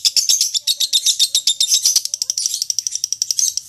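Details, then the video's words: Lovebird singing in the long 'ngekek' manner prized in singing contests: fast, harsh, high chattering pulses, slightly uneven, with small whistled overtones woven in. "Masteran loveBird Juara"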